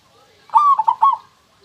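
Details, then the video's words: Crystal-clear cooing phrase from a local zebra dove: one drawn-out note, then two brief bubbling coos and a closing longer note, over faint low background murmur. "suara perkutut lokal super kristal"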